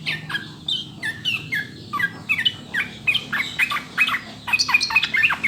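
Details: Sooty-headed bulbul master song for prompting caged birds to sing, a clear run of varied, gurgling fluty notes and quick slurs delivered continuously with brief gaps.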